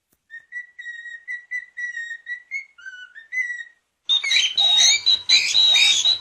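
A cockatiel whistles a run of clear, steady notes, then breaks into harsh, scratchy chatter.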